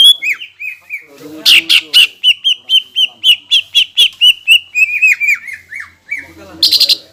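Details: Greater green leafbird in full song meant to provoke rival leafbirds; a fast steady series of short whistled notes, roughly four per second, slowly falling in pitch, broken by a harsh buzzy burst.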